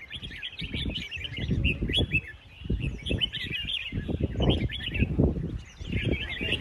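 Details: Several red-whiskered bulbuls at a New Year singing contest with 36 cages sing at once, overlapping bright, chattering phrases of quick whistled notes, over a steady low rumble of crowd noise and thumps.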